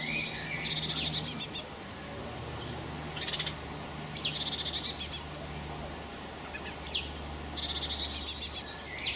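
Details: Fledgling common blackbirds, recorded 26 May 2018, beg in three bouts about every three and a half seconds. Each bout is a quick run of thin, high chirps that builds into a few louder, clicky notes, over a low steady hum.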